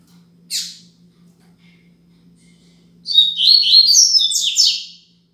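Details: Double-collared seedeater singing the Braddock-style 'Tui Tui Zel Zel Top' tutor song used to teach young birds: one sharp high note, a pause, then a fast burst of high whistled, warbling notes ending in buzzy downslurs, over a low steady hum.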